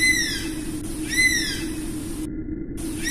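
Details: Oriental honey buzzard repeating its whistled call, two loud arching notes that slur downward, roughly a second apart, with part of another call at the end and a steady low hum.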